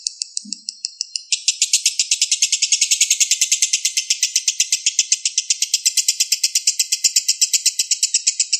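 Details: Young lovebird (balibu) song used as tutor material for competition and home songbirds: a soft, fast, high twitter opens after one brief low thump, then a long, loud burst of rapid, evenly spaced sharp chirps continues without pause.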